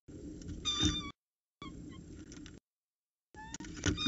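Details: Morning at a peregrine falcon nest at Orange, CSU, 26 October 2019: the male arrives with breakfast and the female feeds the chicks. Sharp, harmonic, squealing cries come in short bursts broken by silent gaps.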